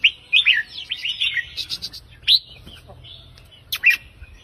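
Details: Red-whiskered bulbul in counting-note song style, 3-4-5 notes, meant to excite listening birds: quick run of bright slurred whistled notes, then scattered single chirps after a pause, closing with a sharp two-note phrase.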